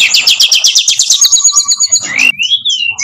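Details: Tutor recording of brown-chested jungle flycatcher song, opening with a quick rattled series of sharp repeated notes, followed by thin sustained whistles and a pair of rising slurred phrases.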